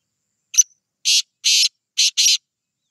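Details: Black francolin calling: one short sharp note followed by four harsh, rasping bursts in quick succession, the last two nearly joined, over about two seconds on a clean, silent background.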